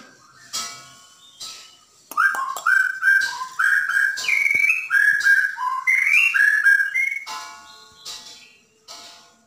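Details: White-rumped shama from Borneo in tutor song meant to stir caged birds: a fast run of short varied whistled notes stepping up and down in pitch, framed by quieter sharp clicks.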